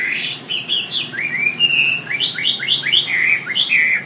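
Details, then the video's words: A wambi sings a quick, varied run of bright whistled and chirping notes, some rising and some falling, several per second, over a faint background hiss; used as a master song for songbirds. "Suara WAMBI"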